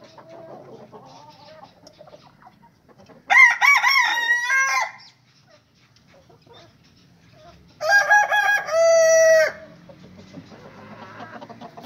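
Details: Two loud rooster crows about four seconds apart, each lasting under two seconds with a broken start and a held, harmonic note. Low clucking fills the gaps.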